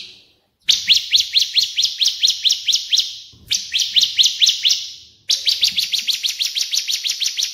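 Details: A cililin and a Bar-winged prinia (ciblek) give bright, high chirps in fast, even bursts of about four notes a second, each burst lasting two to three seconds, recorded as a training song for other songbirds.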